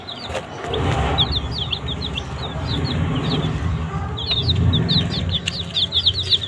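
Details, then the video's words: Desi baby chicks eating a green leaf: clusters of shrill falling peeps, quieter in the middle and busier toward the end, over a low rumbling background and scuffling. "Baby Chicks Eat Green Leaf"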